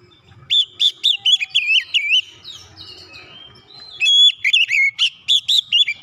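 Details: White-rumped shama song used to provoke other shamas into singing: loud whistled phrases of rapid, repeated looping notes in two bursts separated by a quieter pause with softer twittering.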